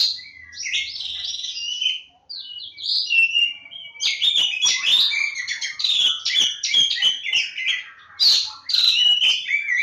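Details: Oriental magpie-robin (kacer jawa) singing a long, busy sequence of warbled whistles, buzzy trills and crisp clicking notes, loud and nearly continuous with brief breaks.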